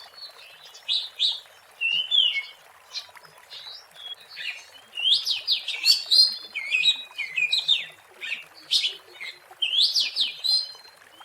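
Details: Oriental magpie-robin (kacer) in the wild, song meant as a lure: rich, varied whistled phrases with quick sweeping notes and trills in bursts over a faint hiss.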